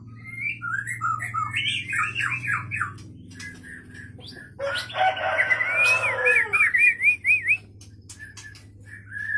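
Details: Aceh Leuser White-rumped shama, caught in 2013 in Pining, Gayo Lues, sings chattering warbled phrases, then a burst of harsh rushing noise with a looping, wavering whistle, and a final short note. A low hum runs throughout.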